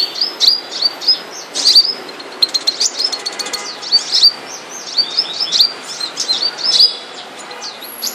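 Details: Caged moulting flowerpecker, known locally as the seven-colour bird, giving thin high tsip chirps in quick bursts, roughly two or three notes a second with short pauses, over faint background hiss.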